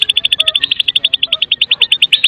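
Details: Medan white-rumped shama in kretekan song, full of fill-in phrases, used to prompt other shamas to sing; a steady run of about eight sharp, high, clipped notes per second, evenly repeated throughout.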